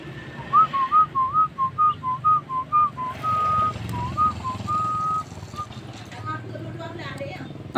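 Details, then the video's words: Starling (jalak) singing actively as a masteran recording: a run of clear, even whistled notes, rising and falling, repeated about twice a second, then a long held whistle and softer notes, over low background rumble. "Masteran hari ini burung jalak gacor"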